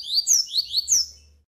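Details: Double-collared seedeater "tui tui" tutor song with an opening trill, used to teach and train males: a quick run of high, rising, slurred whistles, about five notes in just over a second, clear and bright.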